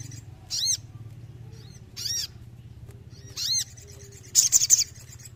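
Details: Lively sooty-headed bulbul song, used as therapy for birds lacking spirit: three evenly spaced arched, ringing notes with overtones, then a sharp high rattling trill, low hum in the background.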